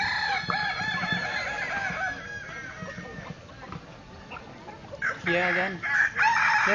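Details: Kukuak Balenggek chicken crowing at a contest in Solok city. An opening wavering, multi-note harmonic crow is followed near the end by another loud, broken crow. People talk in the background.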